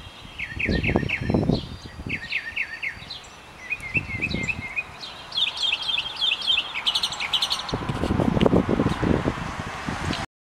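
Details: A male mockingbird sings varied phrases, each repeated in quick runs of three to six notes: chirps, buzzy trills, high sweeps. Low rumbling wind or rustling underneath.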